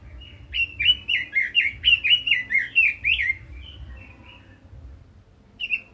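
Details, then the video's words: Red-billed leiothrix as a cage bird singing a rapid, ringing series of about ten down-slurred whistles, then softer trailing notes and a single whistle after a pause. "Chim Quế Lâm kích giọng hay, căng lửa - Burung Robin Gacor | Chim Kim Oanh Mỏ Đỏ"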